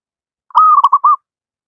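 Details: Wild local zebra dove, a bird in constant song, used as a model to teach reluctant doves to sing: one clear phrase of a held whistled coo followed by three short, quick coos, in silence.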